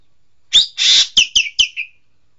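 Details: Green magpie (Cissa chinensis), known as engkek keling, utters a sharp falling note, a rasping harsh buzz, then three clipped high downslurred notes trailing into a softer lower tail. The background is quiet.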